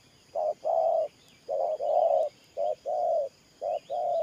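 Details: Low, hollow cooing of a spotted dove kept as a ground-trapping decoy, thổ pha nước gù style: a clipped note then a longer coo, four times in steady rhythm, distant chirping behind.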